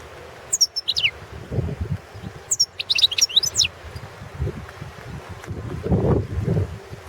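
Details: European goldfinch of the Balkan subspecies Carduelis carduelis balcanica, singing in a 2017 internet world championship of goldfinch song: two bursts of high, liquid twittering with fast rising and falling notes, over low rumbling background noise.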